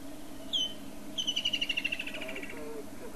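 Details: A Woodland kingfisher, which comes to southern Africa only in summer, calls with a sharp, clipped introductory note, then a rapid, ringing trill that gently falls in pitch. A low hum and faint, indistinct low sounds follow.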